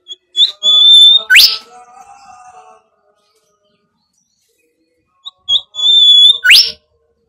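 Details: Bimoli whistling, used as a lure for training other birds: a steady high whistled note, then a sharp rising sweep, repeated after a pause of about four seconds, over faint lower tones.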